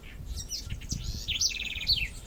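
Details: A House Wren (corruíra), one of several regional Brazilian examples from Paraná, Maranhão and Paraíba showing song accents, sings a quick, bubbly burst of high notes, then a fast run of repeated chips falling slightly in pitch, over low background rumble.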